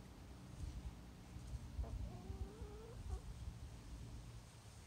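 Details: Chickens clucking: one drawn-out, nasal, slightly rising call lasting about a second, then a brief short note, heard over a steady low background rumble.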